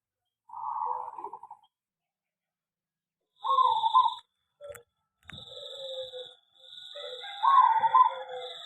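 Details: Caged zebra dove in an aviary utters a few separated trilled coo phrases among long pauses, over a steady high electronic-sounding whine and light clicks.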